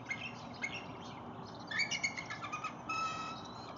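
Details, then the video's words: Bald eagles at Lake Murray on 19 January 2022, an adult with a fish and a juvenile nearby hoping for food: scattered high chirps, then a run of quick piping notes and a steady whistle. "Bald Eagle Juvie hopes for a bite of breakfish"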